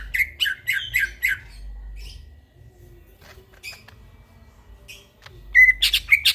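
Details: A greater green leafbird sings in the middle of the night. A quick burst of harsh chirped notes opens, then comes a long near-silent stretch with a few faint notes, and a short whistled phrase with high chirps closes.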